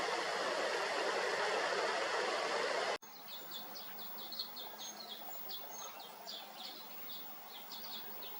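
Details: Common Kingfisher fledglings a few days out of the nest in Yeoncheon, Korea, in May, begging for food with a rapid series of short, shrill, high chirps, several each second, after three seconds of loud broadband noise.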